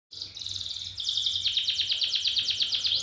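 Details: Champion canary singing: bright, high trills of rapidly repeated notes, a short buzzy roll followed by a long, even, pulsing trill at about eight notes per second, with no other sounds.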